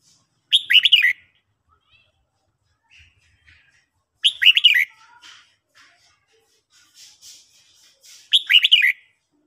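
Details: Red-whiskered bulbul trained to sing in the morning: three short crisp warbled phrases of falling whistled notes, spaced about four seconds apart, with faint soft notes between.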